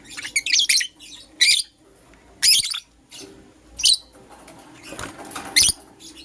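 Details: Green Personata and yellow pastel pied lovebirds chirping in the morning: loud, harsh, shrill bursts, each about half a second long, separated by short quiet spells.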